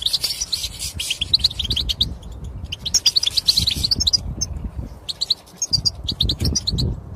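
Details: European goldfinch mating calls aimed at exciting males to sing: clear, high twittering phrases and chirps over a steady low rumbling background noise.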